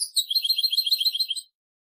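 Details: Mutation-bred European goldfinch twittering in a quick, even run of high, liquid notes for about one and a half seconds, then stopping.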